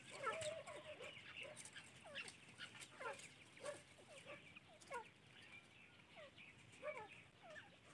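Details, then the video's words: Francolin (teetar) chicks giving many thin, downslurred peeps, scattered irregularly and sometimes overlapping, against a steady background hiss. "teetar ke bacche | teatar chicks | francoline baby"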